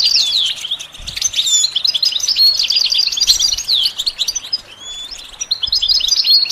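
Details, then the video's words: Goldfinch singing for training: a chattering, liquid run of high chirps and trills with a few clear slurred whistles. A soft low thump is heard now and then. "The basics of training the goldfinch to sing"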